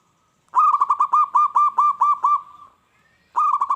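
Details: Local zebra dove in full song, used to make wild doves answer and attack: a fast run of about nine clear, arched cooing notes, then a trailing soft tone, a short pause, and another rapid burst beginning.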